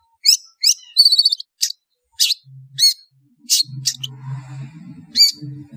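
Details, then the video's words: A long-tailed shrike's harsh chirps and a quick stuttering note series, used as a lure to gather birds, over a steady low humming drone in the second half. "SUARA PANGGILAN CENDET DIJAMIN NGUMPUL"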